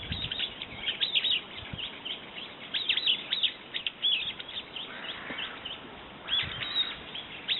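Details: Brown-eared bulbul calling in noisy, excited runs of piercing high notes, sharp downward slurs in quick succession with short pauses between phrases.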